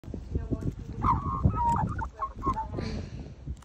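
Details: Australian magpies, one of a friendly pair living nearby, being hand-fed in Australia; short clear tonal notes and brief warbled phrases, with low handling noises and soft voices underneath.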